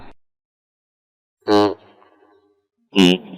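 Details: Two short spoken words separated by silence, with no animal sound heard.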